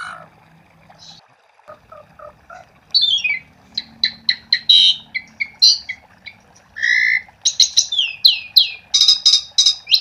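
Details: Asian pied starling singing to draw other starlings into song: soft scattered notes at first, then a downward whistle and a loud run of harsh bursts and squawks growing denser toward the end.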